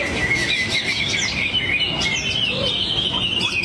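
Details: Greater green leafbird, a hobbyist's bird, singing its learned material while drooping its wings; clear whistled notes and quick slurred chirps run high and unbroken above faint background noise.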